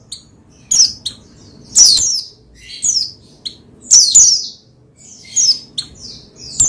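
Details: Oriental white-eye (pleci) song meant to rouse another pleci into singing; sharp high chirps and downward-sweeping twitters delivered in irregular bursts roughly every second or two, with faint background hum.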